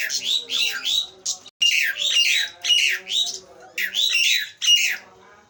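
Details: Nias hill myna pouring out loud, harsh, piercing whistles. The notes are slurred and shrill, given in rapid bursts roughly every half second with brief pauses between phrases.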